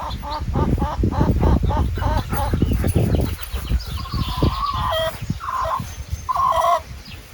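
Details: Chickens (Gallus gallus domesticus) in a farm pen at Dream Rock Silo, with fireflies about, cluck in a quick run of short repeated notes, then a few drawn-out wavering calls over low rumbling noise.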